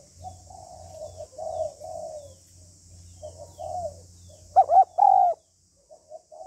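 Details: Female spotted dove calling to stimulate a male: soft, low cooing phrases, then two louder rounded coos near the end, over a low steady hum and a faint high hiss.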